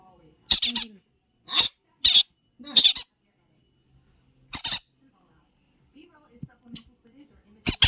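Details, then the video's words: Playful young Yellow-sided conures indoors utter sharp, scratchy screeches, several in quick succession, then a pause and more isolated squawks, with soft murmurs in between. "Yellow sided Conure | Baby birds Playing"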